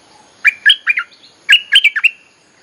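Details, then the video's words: Bulbul song played to call wild birds and teach young birds: two quick phrases of four or five liquid, chortling notes each, delivered back to back. "เพลงหัดลูกเสอ ใช้เรียกนกป่า Suara pikat merbah lekir gacor"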